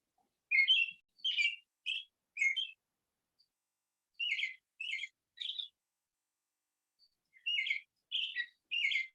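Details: American robin (Turdus migratorius) singing clear, warbled whistled phrases in bursts of three or four, each burst followed by a short pause, against a quiet background.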